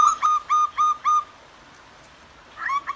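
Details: Zebra dove pair, male and female calling back and forth in the wild in the morning: four quick, evenly spaced cooing notes, a pause, then a short rapid burst of similar notes, over a steady background hiss.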